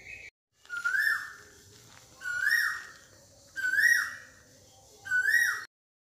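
A koel gives four loud, clear whistled notes, each sliding upward, spaced about one and a half seconds apart, with only quiet background between them.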